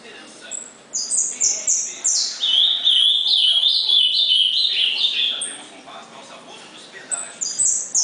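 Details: Gritão-type ultramarine grosbeak song from 19 August 2014, a series of sharp whistled notes building into a sustained warbling phrase of rapid slurred notes, then quiet before a final brief high whistle.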